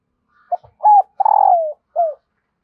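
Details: A female dove coos, used to stir males into calling: a brief opening note, then two longer hollow coos, the second sliding downward, and a final short coo.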